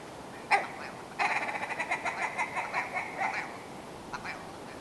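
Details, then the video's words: Willow ptarmigan heard somewhat distantly: one sharp note, then a run of about a dozen rapid nasal pulses slowing down, and a few faint clucks afterward. "Willow Ptarmigan - Song & Call"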